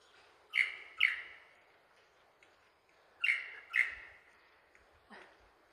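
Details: A male Superb Lyrebird sings during a courtship display to a passing, uninterested female in Cathedral Range State Park, Victoria, Australia: two pairs of loud, ringing notes, each pair half a second apart and the pairs about three seconds apart, then a softer note.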